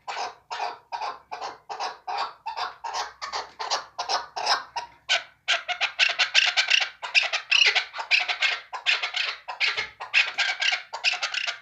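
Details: Chukar partridge for hunting: evenly spaced harsh chucks at first, then the rhythm quickens into a rapid, louder chattering series of rough notes.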